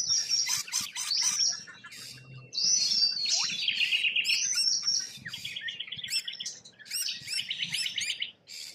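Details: Rainbow lorikeets, wild in Australia, trade loud strident screeches and rapid buzzy trills, dense and overlapping, rising and falling in bursts of a second or two.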